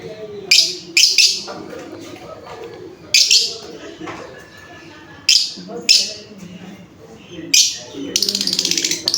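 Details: Shrill, harsh lovebird chirps come singly and in pairs with pauses of one to two seconds, ending in a rapid buzzing rattle, against faint low background noise.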